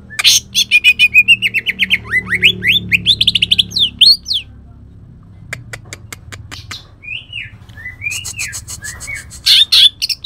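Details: Cucak ijo from Kalimantan in rough 'tembakan' song with shrike-mimic phrases: fast harsh rattles with rising sweeps, sharp clicking ticks, then slurred whistles and a final loud chattering burst.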